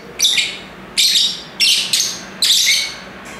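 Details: Loud lovebird shrieks: five rasping, high-pitched squawks spaced under a second apart, each sharp at the start and then fading into a rough buzz.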